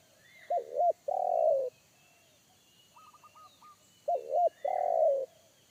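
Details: Wild forest spotted dove of the one-kuk type, with a deep bass voice, heard where a trainee decoy dove shied away from it. Two phrases about four seconds apart: two short bending coos, then a long rolling coo. Faint twittering in between.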